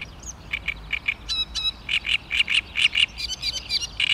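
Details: Great reed warbler, recorded 16 May 2013: steady series of grating, croaking notes about three per second, getting louder and more varied toward the end.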